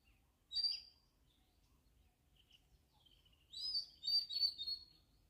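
An Oriental magpie-robin sings two bright, high phrases of clear whistles and quick trills, the second longer and more varied, over a quiet background.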